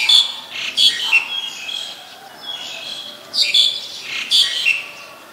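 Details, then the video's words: Black-collared starling, Ubon Ratchathani, Thailand, 2 January 2020: loud, rasping two- and three-part squawks repeated roughly every second, with a quieter gap midway. "นกกิ้งโครงคอดำ Black-collared Starling"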